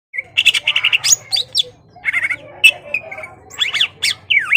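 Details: Greater green leafbird in full song, meant to provoke a rival into fighting: rapid squawky chattering notes, then sharp varied whistles and sweeping slurred calls in a busy, excited stream.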